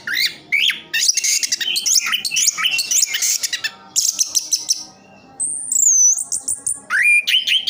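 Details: Orange-headed thrush in captivity in Sidoarjo, East Java, pouring out fast, varied, high-pitched phrases, then a long pure whistle sliding downward, followed by more chattering notes.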